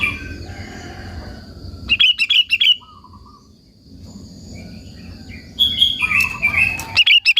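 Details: Sooty-headed bulbul (kutilang) singing to provoke and lure rival bulbuls: two short bursts of quick, bubbly whistled notes separated by a quieter gap with a soft low rumble and a faint high hum.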